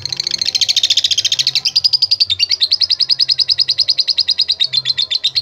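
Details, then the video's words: Lovebird in a bird-contest style song meant to call out rivals: a fast, high chatter of buzzy chirps, wavering at first, then steady evenly spaced notes repeated about three times per second, with faint low background hum. "Ampuh Memanggil Lawan | LOVE BIRD LATAH GACOR"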